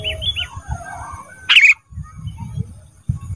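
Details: Caged ruby-throated bulbul on a training track for cage birds: faint looping whistles, then one short, scratchy chattering burst with low thumps in the background.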